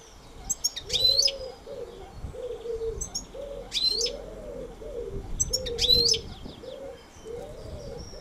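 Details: Goldfinch song in brief high twittering bursts, roughly every two and a half seconds, while a dove coos repeatedly in soft low notes underneath.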